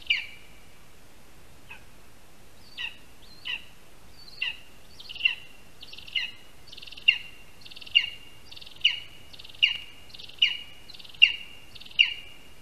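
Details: Lesser spotted eagle (Clanga pomarina) at a nest in a spruce in Latvia, 22 August 2021, early afternoon, during the first prey handover, with a rat as the prey. Scattered high calls build into a regular chain of piercing, down-slurred yelps over a soft background hiss.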